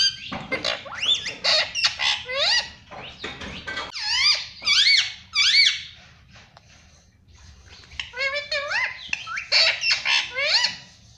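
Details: Pet parrot indoors mimicking speech such as mummy and papa, producing many shrill, squeaky, upward-curving syllables in clustered bursts, with a quieter pause midway before the chatter resumes.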